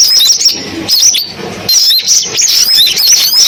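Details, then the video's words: Sunbird song compiled as a loudspeaker lure for bird trapping, with bursts of bright high chirps and quick downward sweeps separated by brief softer gaps, several voices overlapping. "tiếng chim hút mật tổng hợp dùng bẫy loa"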